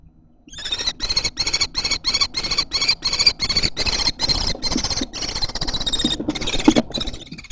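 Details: Young common kestrels in a Théding nest box on 1 July 2024, where a chick fallen from a neighbouring nest was adopted. Loud, harsh, rasping calls repeat about three times a second for seven seconds, each burst richly harmonic and grating.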